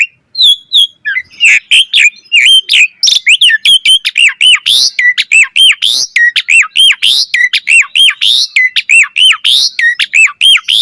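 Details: Asian pied starling singing for other starlings to copy: a long fast chatter of arched chirping notes, over three per second, mixed with harsh squeaky bursts.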